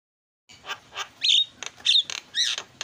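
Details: Javan myna training song with filler phrases: a few hoarse squawks mixed with short bright whistled squeaks over under three seconds.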